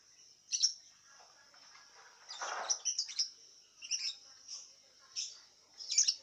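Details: Caged lovebird in an online singing contest from Singkawang, West Kalimantan, Indonesia, giving sharp high chirps and short squeaky bursts in irregular clusters over a steady thin high whine, with one louder raspy chatter in the middle.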